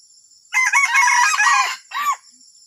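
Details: Junglefowl with an unusual call: one long, loud, raspy crow with a broken middle, then a shorter arched final note. A continuous high-pitched buzz from insects sits in the background.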